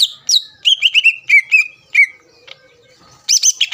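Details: A greater green leafbird pours out quick whistled notes meant to rile rival leafbirds. Repeated slurred whistles fall slightly in pitch, then a short pause, then a burst of high, scratchy chips.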